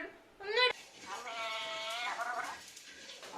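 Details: Captive parrot talking indoors: a short bright nasal note, then a longer harmonic, speech-like phrase that holds a level pitch and then drops slightly at its end.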